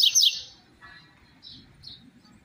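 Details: Double-collared seedeater, "tui tui zero zero" song style: a loud burst of bright, high twittering notes opens, then only a few faint, short high chips follow over a quiet low hum.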